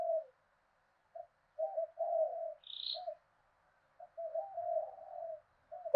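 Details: Decoy spotted dove with a southern Vietnamese 'thổ đồng' voice, used to provoke fights and lure wild doves. Faint, broken low coos come in short pulses with pauses; a brief higher note sounds once, and otherwise the background is quiet.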